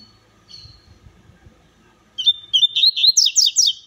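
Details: Warming-up song of a double-collared seedeater: quiet low background noise and a brief thin whistle, followed by a rapid series of sharp, sweeping chirps, about eight in a row.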